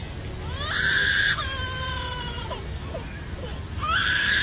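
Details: Lyrebird, a mimic that copies sounds it hears, imitating a crying baby with wavering, wailing cries that break and resume, over a low steady background rumble.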